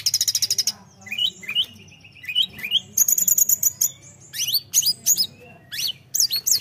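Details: Tledekan in lively song meant to excite rivals: a fast buzzy trill opens, then rising whistled phrases, a sustained shrill whistle and sharp upswept notes over low hum.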